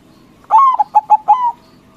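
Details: White zebra dove in loud lure song meant to provoke rival doves into answering: one clean cooing phrase, a long slurred note, three short staccato coos, then a drawn-out final note, all mid-pitched over a quiet background.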